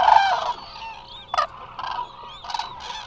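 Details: A big resting flock of Eurasian cranes at Israel's Hula Nature Reserve, picked up by a remote camera; one strong, ringing call opens, followed by fainter overlapping trumpets and a sharp call near the middle against a distant flock murmur.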